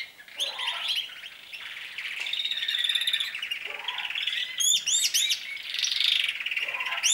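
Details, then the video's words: Singing canaries, whose trills are heard more often and longer as their season begins, produce loud sustained rolling trills broken by rapid high chip notes and quick rising whistles. "śpiew kanarków, canaries singing, canários cantando"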